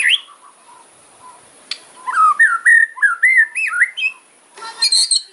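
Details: Loud kretekan fighter song of a white-rumped shama, sung to provoke opponents: a rapid run of clear, upward-swooping whistles repeated several times a second, ending in high, thin twittering.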